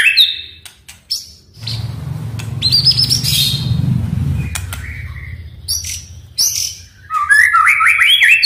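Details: A white-rumped shama (Copsychus malabaricus), played as a lure to get silent captive shamas singing, sings rich, varied phrases of clear whistles, trills and rising notes in quick bursts, with a low rumbling background noise midway through.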